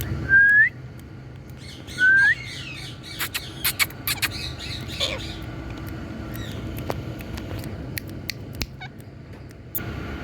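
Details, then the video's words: Indian parrot: two loud, sharp rising calls about two seconds apart, then a busy background of softer chirps and clicks from other birds. "Indian Parrot Relaxing🍃Sounds"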